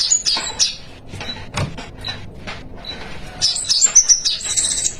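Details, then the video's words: Spiderhunter in full 'gacor isian' song: a scatter of sharp high chips, then a dense rush of shrill, twittering, whistled notes near the end. "Pijantung Gacor Isian"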